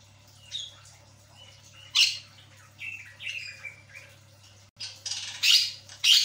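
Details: Javan myna singing, used as a lure sound to get a quiet bird chattering again: scattered short whistled and harsh notes, then loud raspy bursts near the end, over a steady low hum.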